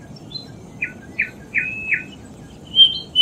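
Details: Plaintive cuckoo (Cacomantis merulinus) song used to prompt captive birds to sing: four short, clear whistled notes about a third of a second apart, then a higher, brighter whistle, over faint background hiss.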